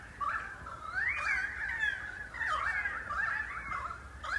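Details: About 30 pied currawongs calling for some 20 minutes in messmate eucalypt treetops in the Dandenong Ranges east of Melbourne, September: overlapping ringing, whistled calls sliding up and down in a steady warbling chorus, calls carrying from 200 metres away.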